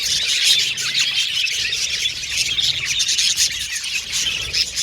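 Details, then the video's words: A group of pet budgerigars whistling and chattering, with dense rapid high twitters and a few clearer chirps standing out over the constant warble. "Australian Budgies Birds Singing & Chirping Sound"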